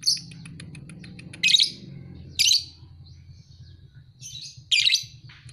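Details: Lovebird, two and a half months old, described as a fighter: sharp high chirps in short bursts at about 1.5, 2.5 and 4.8 seconds, with a faint low hum underneath.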